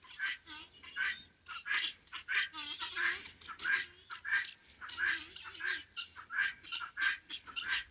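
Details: The owner's Helmeted guineafowl, crossing a road, give harsh, grating calls in a rapid, overlapping chorus of repeated notes.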